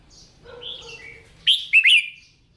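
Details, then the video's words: Red-whiskered bulbul, a trained cage bird at morning singing practice. Soft twittering gives way to one loud, rich phrase of two or three quick descending whistled slurs. "Tiếng Chim Chào Mào Hót"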